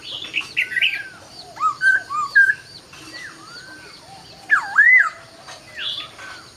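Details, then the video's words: Laughingthrush song at daybreak: a rich run of varied whistled phrases, slurred rising and falling notes delivered in bursts, with a loud swooping phrase near the end and softer whistles between. "Chào Bình Minh | Nghe Tiếng Chim Khướu Hót Cực Hay"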